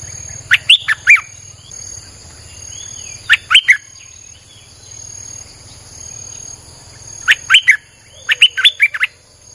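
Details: A streak-eared bulbul recording used as a lure to attract wild birds: bursts of three to five sharp, bubbly notes at roughly three-second gaps, with a steady high electronic whine and low hum behind.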